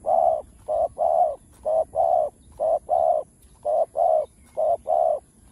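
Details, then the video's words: Spotted dove cooing in Chiêu, Thúc and Gù styles: a fast run of paired coos, a short note then a longer one, repeated rhythmically about once a second. "Tiếng cu gáy Đủ Bài ( Chiêu-Thúc-Gù )"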